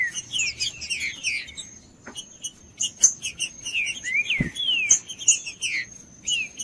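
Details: Green-winged saltator singing so that other saltators warm up and young birds learn: bursts of slurred downward whistles and chirps, a brief gap, then more looping whistled notes, with high ticking in the background.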